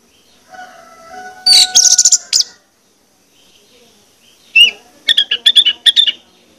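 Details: Orange-headed thrush lure song to get birds singing: a faint steady tone, a burst of harsh high chatter, silence, then a string of quick whistled notes.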